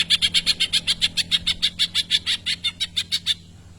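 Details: Greater green leafbird delivering tengkek imitations: a fast, even rattle of about twenty sharp, high chattering notes in just over three seconds, then it stops, leaving a low background hum.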